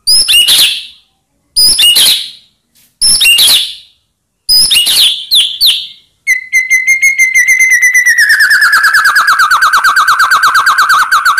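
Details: White-rumped shama song for provoking rival birds: several separated loud whistled bursts, then a long fast trill of repeated notes gradually dropping in pitch.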